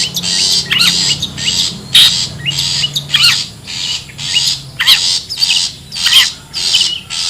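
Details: Wild long-tailed shrike lure call: repeated grating squawks roughly every second, some overlaid with quick descending whistles, above a low steady hum.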